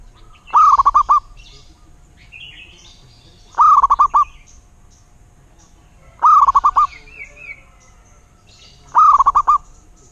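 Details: Local wild zebra dove repeating its rolling cooing phrase four times, roughly every two and a half to three seconds. Each phrase has a rising lead note and quick stuttered coos. Faint high chirps from other birds are between phrases.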